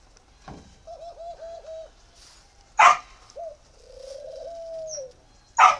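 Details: Spotted dove from northern Vietnam, kept at a breeding farm in Ba Vì, Hanoi, giving a rapid stutter of four soft coos, a short coo, then one long sustained coo, interrupted by loud knocking clatters.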